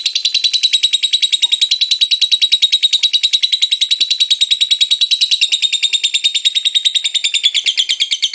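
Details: Lovebird singing a long ngekek chatter, meant to draw song from other lovebirds: a fast, unbroken run of piercing high chirps, evenly spaced and sustained throughout, with no other sounds.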